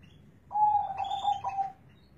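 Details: Zebra dove singing in a big, deep bass voice, one rolling cooing phrase of quick stuttering notes lasting just over a second, with quiet low hum behind.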